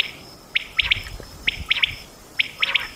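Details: Quail calling for hunters in Mianwali, Pakistan: a crisp, high three-note phrase is repeated three times, evenly spaced, with faint low thumps and hiss underneath.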